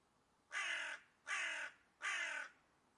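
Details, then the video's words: A hooded crow gives three harsh, hoarse caws, each about half a second long, spaced roughly three-quarters of a second apart, with a quiet background. "Hooded Crow Sound Effect"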